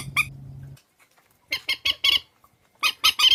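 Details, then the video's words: Part of a compiled swamphen lure for trapping: one squawk, a silent gap, then two clusters of loud, raspy honks roughly three per second. "Tiếng trích ghép mòi"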